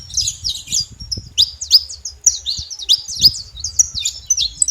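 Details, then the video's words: Free-living saffron finch in the wild singing clear high notes, paired downslurs and bright chips repeated in uneven bursts, soft low-frequency rumble below. "canário da terra livre na natureza com belo cantos"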